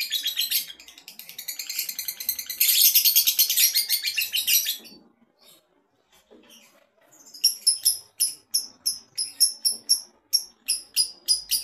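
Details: Male lovebird, said to be ready for a singing contest, gives an intense rapid chattering burst for about five seconds, falls silent, then resumes with sharp repeated high chirps spaced evenly.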